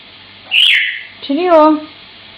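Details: Pet African grey parrot singing: a bright, high whistled note falls away, then after a pause comes a lower, wavering, voice-like warble with rich overtones, rising and dipping over about half a second.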